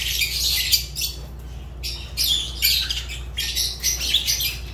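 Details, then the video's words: Fischer's lovebird (Agapornis fischeri), a kept pet bird, giving harsh, high squawking chirps in dense bursts, with short pauses around one and a half and three seconds; a steady low hum runs underneath. "Lovebird Agapornis Fischer sounds"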